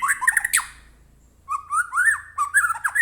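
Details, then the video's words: Captive white-rumped shama song used as a lure to set off another bird: a harsh burst, then a short pause, then looping mid-pitched whistles with scratchy high overtones. "murai batu gacor AMPUH buat pancingan murai batu agar bunyi JADIKAN burung murai gacor EMOSI NYAUT"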